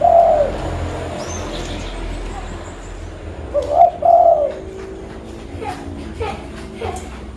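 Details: Zebra dove, local type, calling as a lure in Pidie, Aceh: a brief coo opens the clip, then a rolling double coo follows midway. Scattered faint chirps and soft background noise fill the gaps.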